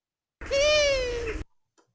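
Long-eared Owl giving one drawn-out, nasal, cat-like wail, about a second long, held level then sagging slightly at the end. No other sounds.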